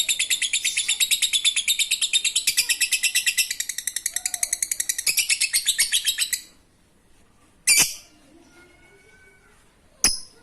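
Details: Lovebird performing fine 'ngekek' chatter used as a lure for lazy singers: over six seconds of fast, high, buzzy repeated notes, then silence and two lone sharp chirps.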